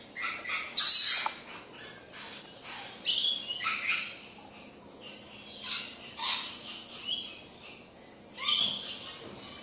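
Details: Immature rainbow lorikeet copying its parents' behaviour, giving harsh, screechy bursts of calls in short clusters with pauses of about two seconds between them.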